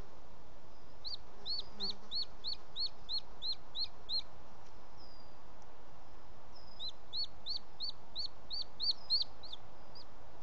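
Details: Booted eagle male carrying a bird to the nest at the end of the afternoon, 18 June 2017, Els Ports Natural Park: two series of high, thin, hooked whistles, about nine then eight notes, separated by a quiet gap.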